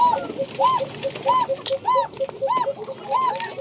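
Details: Domestic Bashiraj koka pigeons in a farm loft at Bagmara, Rajshahi: evenly spaced rounded coos, roughly one every 0.6 seconds, with soft lower notes between them and other birds and a human voice behind.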